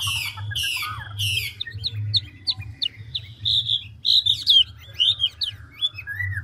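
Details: Chinese hwamei of the five-phrase style singing with quick changes of voice: three loud descending sweeping notes, then varied clear whistles and short twittering phrases over a low steady hum.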